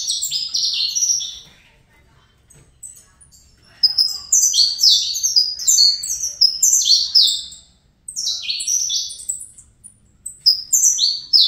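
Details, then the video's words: Saffron Finch youngster bred in captivity, singing fibra song: an opening jumble of chirps, a silent gap, then long runs of quick, high, downslurred notes with short breaks between phrases. "Canto Canário da Terra Fibra CCM"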